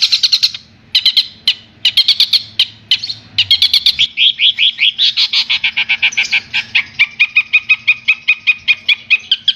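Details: Long-tailed shrike from Madura in a master recording for training songbirds: shrill varied chattering phrases with short pauses, then a long run of rapid, evenly repeated bright notes that drop slightly lower toward the end.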